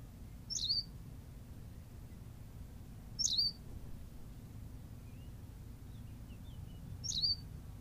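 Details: Berthelot's pipit on La Gomera in the Canary Islands giving short, sharp high-pitched chirps, three calls spaced about three seconds apart, with low steady background rumble.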